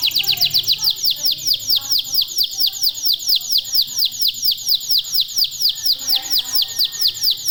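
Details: Local domestic canary (kenari lokal) in full, vigorous song, used as a training lure to get other canaries singing; rapid high trill of repeated downward-sweeping notes, about two per second-fraction, steady and regular throughout, faint background murmur.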